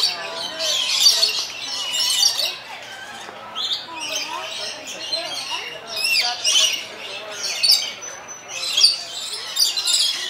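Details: Lorikeets at San Diego Zoo Safari Park give harsh, shrill screeching bursts one after another, loud and high, overlapping in a busy chorus, with people's voices murmuring underneath.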